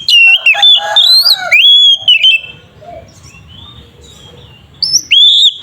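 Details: Loud lure song of an oriental magpie-robin in combative mood, meant to stir another bird into singing: a dense opening run of whistles, rising and falling slurs, then a quiet spell before a sharp rising whistle returns.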